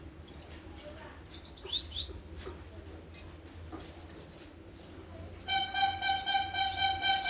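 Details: Sunbird, known locally as konin (kolibri ninja), in 'nembak sejalur' song: short, very high chirps and brief trilled bursts separated by pauses, followed by a sustained, lower, buzzy tone with stacked overtones.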